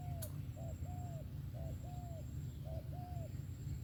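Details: Spotted dove singing: paired short and drawn-out mellow coos repeated at an even pace, over a persistent low droning background.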